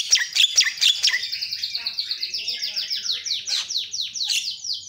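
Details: A Javan myna, locally called jalak kebo, grows noisy after hearing a lure. Opening squeaky notes lead into a fast run of short, high descending whistles, evenly spaced and continuing steadily to the end.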